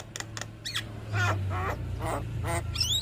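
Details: Javan myna (jalak kebo), a caged bird in active singing form, used as a master recording to prompt other birds to sing; harsh broadband squawks and rattling notes in short bursts, ending in a rising whistle, over steady low hum.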